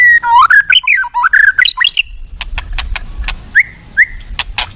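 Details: Aggressive white-rumped shama song meant to provoke other shamas: two seconds of fast rolling warbles rising and falling, then sharp clicks and two short whistles.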